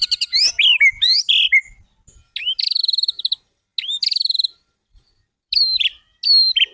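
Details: Master song of the white-rumped shama for birds to learn: clusters of sharp swooping whistles and bent notes mixed with short fast rattling trills, with quiet gaps between phrases.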